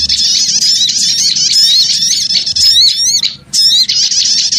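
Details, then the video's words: Small birds chatter loudly for a lure: a near-continuous wall of high-pitched twittering and slurred squeaks, with one short lull just past the middle. "Suara Pikat Burung Kecil Ribut Ampuh"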